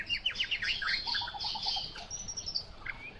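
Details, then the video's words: Somewhat distant, quieter hwamei song of quick descending whistles, a short series of soft repeated low notes, and a thin high trill, with faint background hiss. "Họa mi mộc dở 09"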